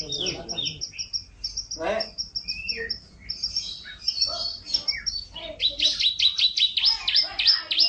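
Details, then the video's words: Canary singing in a champion-style master recording for training: a varied jumble of high chips, short whistles and twitters, with a few lower sounds mixed in, building to a loud fast series of swooping downslurred notes at the end. "Suara Masteran Kenari Durasi Panjang Gacor Juara Full Isian"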